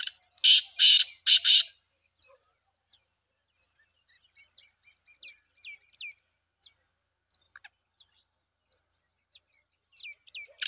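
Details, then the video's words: Black francolin calling with three loud, harsh, grating notes in quick succession, followed by scattered thin, high chirps and whistles from small birds and one more harsh note at the end. "titar sultan voice"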